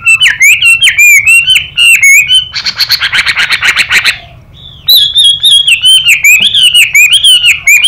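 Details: Contest song of a Chinese hwamei with a female calling: rapid run of sharp whistled notes, a harsh buzzy rasping stretch of over a second, then bright warbled whistles resume.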